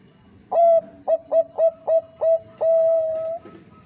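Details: Zebra dove of the Bangkok type, stated to be a female calling a male, used as a singing lure; a strong opening coo, five rapid short coos, then a long sustained note that gradually fades.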